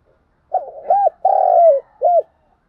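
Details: Spotted dove cooing: one low, mellow phrase made of a short hooted note, an arched coo, a long drawn, slightly falling middle note and a final arched coo, with silence around it.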